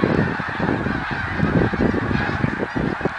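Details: Snow geese honking in 2014, close harsh calls pulsing over a dense background chorus of many birds, with deep rumbling sound underneath.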